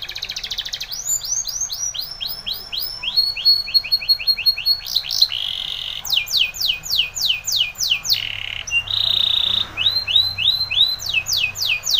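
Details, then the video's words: Spanish Timbrado canary singing a powerful training song: fast runs of repeated, swooping high notes, then a steady ringing tone and quick trills, nearly nonstop. "Timbrado canary's most powerful song for training"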